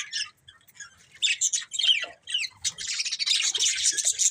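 Budgerigars chirp in quick, scratchy bursts, overlapping into a continuous high chatter.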